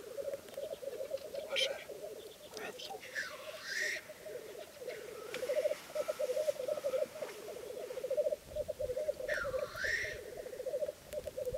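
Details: Black grouse at a lek in 2011, bubbling in a continuous low, dove-like rookooing chorus, broken every few seconds by loud hissing 'tchu-wheesh' sneezes.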